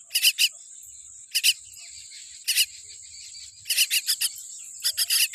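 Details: A weak-beaked baby common myna repeats scratchy, noisy call notes, first singly and in pairs, then a faster run of five near the end, over continuous shrill insect buzz.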